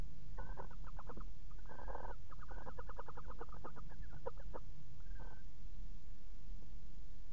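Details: Male and female barn owl together in a nest box, 13 December 2018: rapid trains of clicking, chittering pulses and short harsh notes. A steady hiss underlies them.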